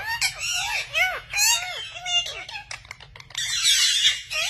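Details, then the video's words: Rose-ringed parakeet (Indian ringneck), likely a pet, giving a quick run of arched, chattering squawks, some almost speech-like, ending in a long harsh rasping screech. "FUNNY PARROTS | parrot sounds | ring neck parrot"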